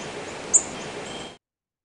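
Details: A Black-throated Green Warbler gives a single very short, high, thin, whistled flight call, a slight rise from about six to seven kHz without buzziness, over a steady hiss of background noise.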